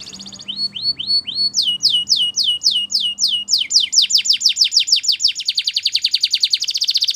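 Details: Belgian canary singing in the morning: a series of clear whistled notes that rise then fall, repeated steadily and gradually quickening into a dense high trill, over a faint low hum.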